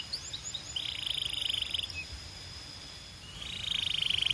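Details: Belgian canary singing: a few quick high whistled notes, then a fast, even, rolling trill lasting about a second, a short pause, and another long rapid trill at the end.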